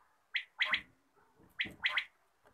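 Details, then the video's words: Quail calling in the morning: two bursts, each a sharp high note followed by a quick doubled note, about a second apart, over quiet background. "batair ki awaz subha"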